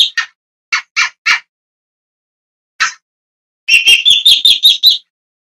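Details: Long-tailed shrike giving harsh, scratchy notes: a few spaced rasping calls, then a fast run of about eight sharp, higher chattering notes at the end, with no other sounds.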